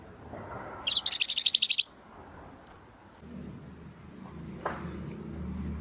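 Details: Domestic canary song used to train competition birds: a single fast, very high trill lasting about a second, followed by low background noise.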